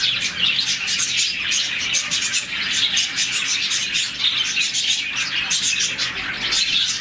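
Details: Morning chorus from a colony of about 40 budgerigars, whose chirping signals contentment: dense, overlapping high twittering and warbling chirps run continuously without pause, with many birds calling at once.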